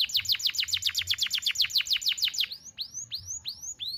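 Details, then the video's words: Young canaries are meant to learn from this canary song, a fast series of sharp falling notes lasting over two seconds, followed by a few slower rising whistled sweeps. "KENARI GACOR NEMBAK TAJAM , DURASI PANJANG SATU NAFAS || CUIT CUIT MASTERAN KENARI PAUD AGAR BUNYI"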